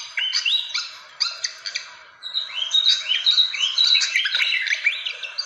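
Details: Fantail calls meant to attract birds: a few sharp chips, a brief pause, then a loud, busy flurry of squeaky, arched whistles and chattering notes.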